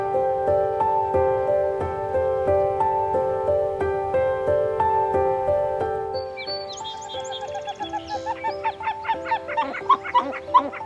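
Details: A pied-billed grebe at a lake in North Idaho, where a family with two chicks riding on the parents' backs was seen, gives a fast series of hollow, nasal notes that grow louder and quicker. Soft music plays throughout.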